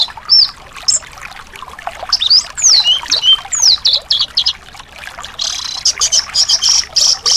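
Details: Thrush song played as therapy for a thrush reluctant to sing: clear, high whistled phrases with rising and falling slurs, then a fast rapid trill of short notes toward the end, against a soft steady hiss.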